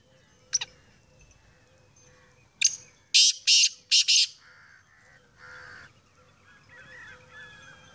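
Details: Black francolin, called Sindhi black teetar, giving its loud call: a series of harsh, buzzy, high bursts of about four notes in quick succession, preceded by two sharp clicks, with a faint steady hum underneath.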